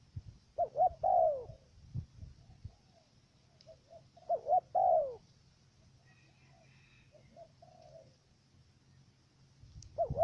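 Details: Trapping decoy dove from Cà Mau, Vietnam, repeating its stuttered coo roughly every four seconds: short double note then a sustained downward-bending hoot, with faint far coos and light knocking in between.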